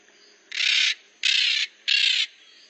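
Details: Maritaca (Pionus parrot) making noise: three loud, harsh, grating squawks, each about half a second long, evenly spaced with short pauses, over a faint steady background hiss.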